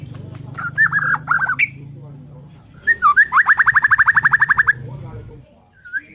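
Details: A Borneo white-rumped shama in the morning gives choppy whistled notes, then a long, fast, regular series of about eighteen short down-slurred notes, ending with a soft rising whistle; low hum underneath.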